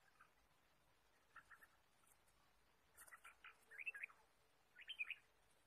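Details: Red-whiskered bulbul in the wild forest during bird trapping, 23 March 2017: soft scattered notes at first, then two louder bubbly, warbled phrases about a second apart over a faint hiss.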